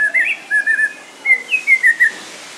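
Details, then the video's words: A Snowy-crowned Robin-chat (Cossypha niveicapilla) sings rich, slurred whistles at Vogelpark Walsrode, Germany: a quick rising pair of notes, then about five fluty notes sliding up and down, with no other sounds. "snowy crowned robin chat song"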